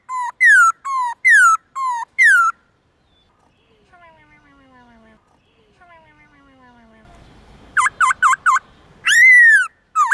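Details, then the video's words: Black-throated laughingthrush singing a morning forest-voice song with many voices, used to train young birds: loud, clear, harmonic whistled notes, some falling and some rising, in bursts, with a quiet gap of faint softer notes midway. "Khướu bạc má hót giọng rừng nhiều giọng buổi sáng"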